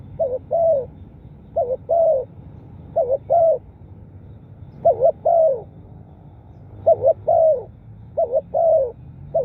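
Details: Spotted dove cooing as a lure for wild birds: six phrases in irregular succession, each a fast two-part note followed by a longer gently descending coo, over low background murmur.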